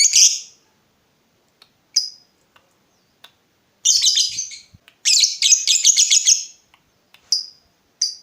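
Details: Lovebird, a lure to make other lovebirds answer; isolated harsh squawks, then two bursts of rapid high chattering, and more lone squawks after quiet gaps.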